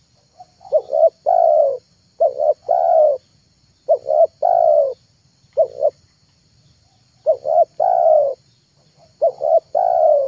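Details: Spotted dove cooing used for luring: phrases of two short notes and a long mellow coo, some shortened to single pairs, repeated with uneven gaps of one to two seconds.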